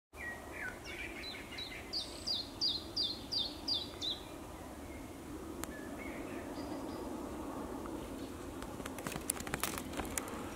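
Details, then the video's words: Iberian chiffchaff singing in Zuid-Holland, Netherlands, on 4 May 2022: a quick run of about eight clear, downslurred notes in the first seconds, then fading into steady background hiss with faint clicks. "Mogelijke Iberische Tjiftjaf"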